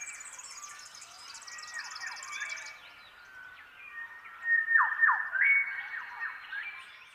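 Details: Shrike-thrushes in a dawn chorus, birds across the landscape all singing the same newly adopted song phrase: rich, rolling whistled phrases with sharp downslurred notes, more birds answering from far off, and thin high chatter early on.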